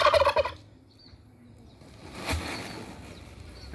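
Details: Solitary kept turkey, said to be aggressive and wanting a mate, ends a rattling gobble in the opening half second, then low background noise with a faint distant knock.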